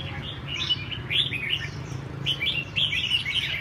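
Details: Red-whiskered bulbul at a song training session: lively, slurred chirps in short clustered phrases, a brief pause, then another burst, with a low background hum.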